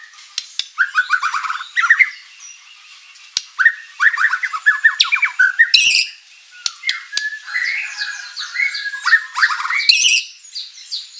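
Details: Energetic white-rumped shama song rich in mimicked material, played as a lure so other birds answer: bursts of quick descending notes, loud harsh rasping blasts and softer warbled phrases between.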